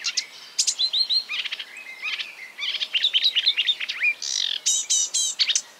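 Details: Marsh warbler imitating other birds: a rapid, unbroken stream of high, varied phrases, mixing clear whistles, buzzy trills, sharp chips and slurred rising notes, each snippet brief and quickly replaced by the next.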